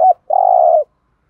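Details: Spotted dove used as a decoy to attract other doves: a brief note followed by one long, even, purring coo.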